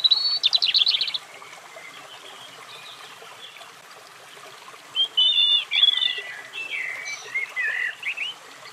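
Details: Brief high trill from a European robin, then a quiet gap and a later phrase of sweet wavering warbles, with faint running water behind.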